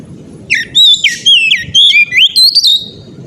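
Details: Oriental magpie-robin sings loud ngeplong phrases, with rapid rich whistles that swoop, dip and rise in a continuous tumbling run lasting nearly three seconds, over a soft low rumble.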